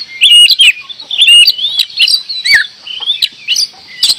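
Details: Kacer, the oriental magpie-robin, singing hard in Indonesia: bright looping whistles, a fast rising-falling trill and scratchy clicks, delivered in quick, uneven bursts about once a second.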